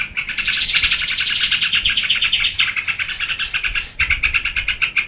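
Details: Continuous scratchy chattering of a yellow-vented bulbul in geberan manner, a loud rapid trill that softens into separate pulses after the fourth second.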